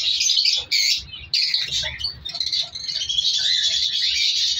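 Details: Captive breeding colony of color African lovebirds, with chicks being separated. Dense, harsh, high squawking chatter from many birds overlaps continuously, broken by a few short gaps and sharp screeches.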